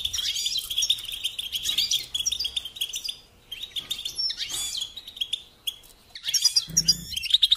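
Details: Bursts of high, jingling goldfinch twittering broken by short pauses, with a brief low hum near the close.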